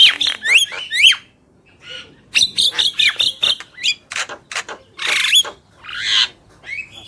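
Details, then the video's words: Male and female Javan mynas singing energetically: quick rising whistled squeaks in short clusters, a brief pause, then a rhythmic row of repeated notes and coarse rasping bursts. "Jalak Kebo Gacor | Burung Jantan dan Betina"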